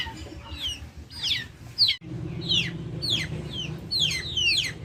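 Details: Backyard chickens give clear high, downward-swooping peeps, singly or in quick pairs, roughly every half second. A low murmur of background noise runs beneath.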